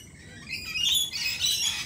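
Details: One lorikeet at a cafe gives a drawn-out, grating squawk lasting over a second, harsh and noisy, rising in loudness and then breaking into a second rasp.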